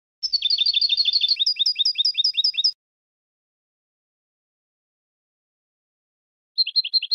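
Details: Goldfinch song: a dense, loud run of rapid twittering notes that moves into a higher series of tinkling notes, then a long pause before a short trill resumes.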